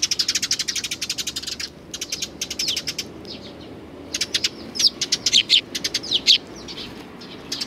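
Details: A flock of sparrows gathers to be fed along the Tenmangu shrine approach on 29 May 2020. Dense, rapid, high chirping pours from many birds in fast overlapping trains, then turns into louder separate chirps.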